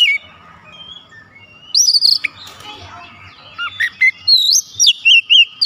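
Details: Oriental magpie-robin, one of several joining in, singing mimicked fill phrases: after a quiet start, sharp whistled notes near 1.8 s, then a run of short, bright, repeated chirps and whistles from 3.6 s onward.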